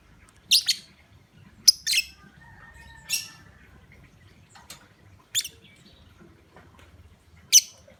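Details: Lovebird lure call used to provoke other lovebirds into calling: sharp, shrill high chirps and squeaks, some doubled, spaced irregularly about one to two seconds apart with quiet gaps between.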